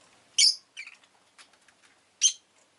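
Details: Rosy-faced lovebird chirping, with street sounds from cars, motorbikes and bicycles in the recording. A loud, harsh chirp comes first, then softer chattering notes, and another strident chirp closes the sequence.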